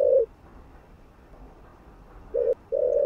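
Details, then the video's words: Spotted dove cooing to stimulate other doves: a low, hoarse coo note opens, then a long quiet gap before two more mellow coo notes close the phrase. "Chim Cu Gáy Thúc Gù. Kích Mồi.Kích Bổi Cay Cú"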